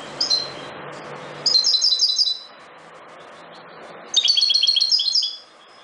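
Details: European goldfinch (Carduelis carduelis parva) singing in the wild, three high twittering phrases of rapid liquid chirps, the last nearly a second and a half long, separated by quiet pauses with faint low hum.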